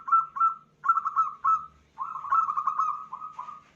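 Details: Local female zebra dove luring a male: soft, bubbling groups of short repeated coos, the later ones running together into a quick wavering series.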